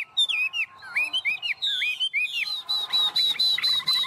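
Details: Chinese hwamei, hand-tame and singing in 'ôm cóng' fashion, delivers curling whistles and slurred phrases, then a quick regular series of high, piercing notes.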